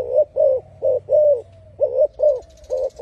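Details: Spotted dove singing with a loud voice: a steady series of short, hollow, low coos in quick bursts of two or three, with brief pauses between groups, over a faint low hum.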